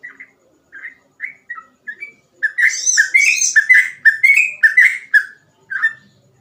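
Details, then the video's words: Sooty-headed bulbul in gacor song meant as a tutor for untrained trucukan: a few spaced whistled notes, then a dense rush of bright bending whistles under a high buzzy chatter, tapering to one last whistle. "burung trucukan gacor ropel cengkok mudah di tiru"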